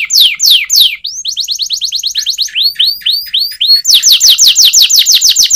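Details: Canary training song: loud descending notes, a rapid trill of upswept notes, a few slower arching swoops, then a loud fast trill of falling notes.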